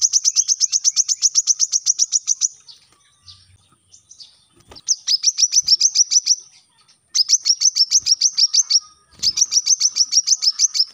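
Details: Captive-training song of the brown-throated sunbird: fast, high ticking trills in repeated bursts, one long opening run followed by three shorter ones with brief quiet gaps between.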